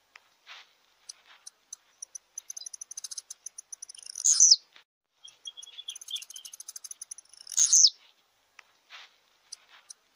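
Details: Blue-black grassquit singing: two short, bright buzzy bursts about three and a half seconds apart, with faint scattered high ticks and chips between them.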